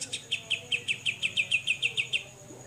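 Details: Grey-cheeked bulbul singing besetan: a short series of about twelve crisp, high, bouncing chips, delivered at an even quick pace and fading slightly toward the end.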